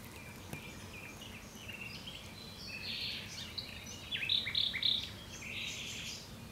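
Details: A common nightingale sings varied short phrases of chirps and buzzy notes, with a brief group of loud, pure repeated whistles near the end, against a low hum.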